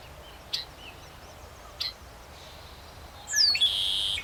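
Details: Red-winged blackbird at Somenos Marsh, Cowichan Valley, Vancouver Island, British Columbia, gives two short, sharp check notes, then a high, sliding whistle running into a buzzy, rattling trill, over a quiet outdoor hiss.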